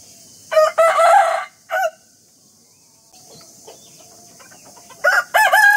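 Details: Morning rooster crow: a loud, rich multi-syllable crow with a brief tail note, a long near-silent gap with faint background sounds, then a fresh crow starting at the close.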